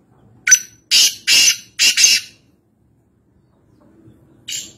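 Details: Kala teetar, the black francolin, wild at Nawabshah in Pakistan: a short sharp note, then four harsh rasping notes in a hurried series, silence, and a single final grating note.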